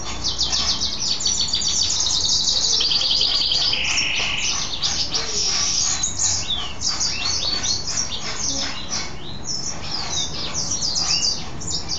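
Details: Caged mule goldfinch in happy song after a bath: long, fast high trills and scratchy twittering, one lower buzzy burst near the middle, then a run of quick rising and falling chirps.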